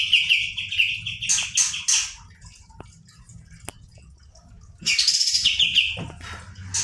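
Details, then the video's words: Kapas tembak bird in full rolling song, used as a tutor recording to excite other birds: a quick repeated trill, a few scratchy bursts, a quiet gap with faint clicks, then another bright rapid trill. "kapas tembak gacor roll ngebrn nembak.."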